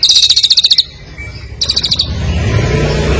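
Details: Competition songbird singing two quick bursts of fast, rattling chatter separated by a brief pause, then low rumbling background noise.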